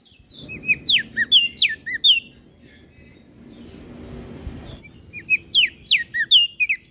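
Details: Lively bursts of high, swooping whistles from a Flores crested white-eye in 'gacor isian' style, used as a master to train kecial birds, separated by a quieter stretch of soft background rustle.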